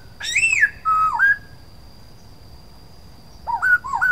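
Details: Black-throated laughingthrush giving clear whistled phrases, a rising-falling slurred note then lower looping whistles, a pause, then two more looping whistles, against soft background hiss and a steady high tone.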